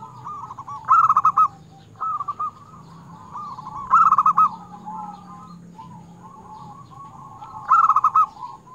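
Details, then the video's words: Frequently singing local zebra dove with a 'crystal' voice, used as a lure to provoke and excite other doves. Loud bursts of quick staccato coos repeat roughly every three seconds, with softer rolling coos in between. "perkutut lokal gacor suara kristal UNTUK PIKAT"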